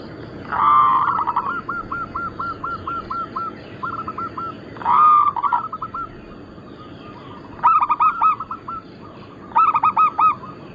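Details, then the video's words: Local zebra doves of Bangkok-cross type, recorded as lure and tutor material: loud bursts of stacked, rapidly repeated cooing notes at about 0.5 and 5 seconds, followed by fainter trains of quick rolling coos from other doves. "Perkutut lokal gacor - Pintar Mengundang Bunyi semua jenis burung kutut Lokal bangkok crossing"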